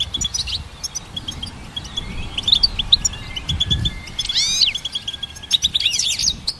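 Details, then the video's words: Goldfinch song for training songbirds, with spaced high chirps and twitters, several sweeping slurred notes rising and falling around the middle, and low rumbling noise underneath. "Goldfinch Symphony"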